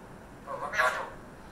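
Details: A pet Alexandrine parakeet talking in the early morning while calling to an African grey parrot speaks one brief, human-like word of about half a second, mid-pitched and slightly hoarse, against a quiet room background.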